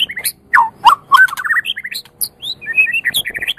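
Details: Champion white-rumped shama from Medan, used to stimulate other birds to sing: a rich, fast, varied song of rising and falling whistles, rapid twittering runs and sharp high notes, delivered continuously without pause.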